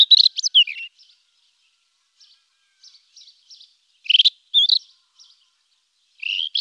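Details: A rufous-tailed scrub robin delivers a quick, descending warbled phrase, soft scattered notes, then another bright burst and a final rising whistle, all high-pitched against silence.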